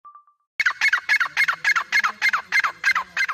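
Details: Grey francolin giving a rapid, evenly spaced run of harsh, sharp notes about three or four per second, starting after a brief pure tone and a short silence.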